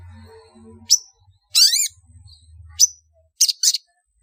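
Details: Long-tailed shrike call used as a lure to make birds gather: sharp, harsh, buzzy bursts, one a grating rasp with a rising tonal sweep beneath, plus short scratchy notes spaced irregularly over a faint low hum.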